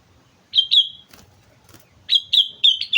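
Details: On Mount Slamet a sooty-headed bulbul sings energetically. Two bright whistled notes, a pause with soft rustles, then a second burst of four clear, ringing notes.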